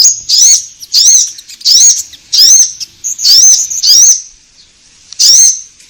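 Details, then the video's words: Orange-headed thrush with loud, clear, rising whistled notes repeated about every 0.7 seconds, an energetic song used to prompt caged birds to sing. "Pancingan Konin Gacor Langsung Nyaut"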